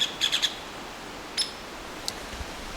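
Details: Agitated Hairy Woodpecker, believed female as it lacks red, gives a rapid run of four sharp high notes, then a single sharp call and a faint tap, over steady background hiss.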